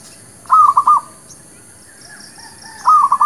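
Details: Zebra dove of a local village type, used as a trapping lure and for new birds, gives two quick rolling coo phrases about two and a half seconds apart, each a burst of three to four mellow notes over a quiet background.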